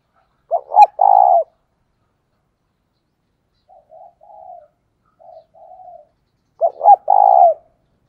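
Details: Decoy spotted dove cooing to lure wild doves: two loud, low, hollow coo phrases several seconds apart, each a short stuttered opening then a longer rolling note, with softer coos in between.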